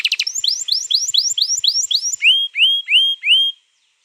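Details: Canary song from 21 April 2022, a long roll used to get a canary singing: quick rising whistled notes repeated steadily, then four slower, fuller upslurred whistles before silence.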